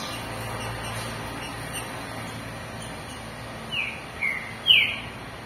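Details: A captive Green-winged Saltator, one of several kept close together in late afternoon to stir them up, gives three short, loud whistled notes near the end, each sliding slightly, over steady background hiss.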